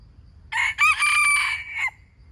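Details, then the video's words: Crowing call of a wild chicken, loud and hoarse: a brief first note, a pause, then a drawn-out even cry stretching over a second before dropping away, with a low background hum. "How good calling of wile chickens"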